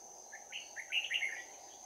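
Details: Bell-voiced red-whiskered bulbul at a trap in Đồng Nai, 11 January 2019, in a close fight; a quick tumbling phrase of bright chirps and slurred whistles building to louder notes, against a constant high whine.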